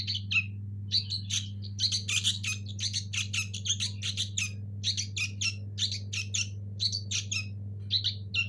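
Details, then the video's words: Young local sooty-headed bulbul chicks calling in rapid, nearly continuous bursts of harsh, scratchy squawks and chirps, several per second for the whole stretch, over a steady low electrical hum. "Anakan burung kutilang lokal asli"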